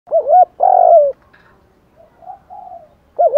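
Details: Male and female spotted doves calling to stir up other birds, with urging, cooing and calling styles. Low mellow coos with wavering double notes open the clip, a long steady coo follows, then soft faint coos and another wavering note at the end.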